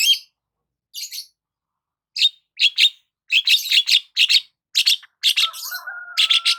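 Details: Long-tailed shrike in morning sunbathing song: spaced harsh bursts giving way to a dense string of scratchy, chattering notes about twice a second, with a faint steady lower tone in the final seconds.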